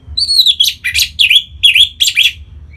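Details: Orange-headed thrush from Singaraja, North Bali, singing to get other birds singing: a high slurred whistle, then a lively string of about six scratchy, warbled notes mixed with whistles.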